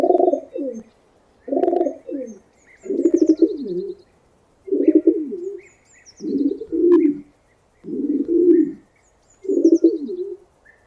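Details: Pigeon cooing: seven low, throaty rolling coos, each about a second long, repeated roughly every one and a half seconds, with faint high chirps from other small birds in the background.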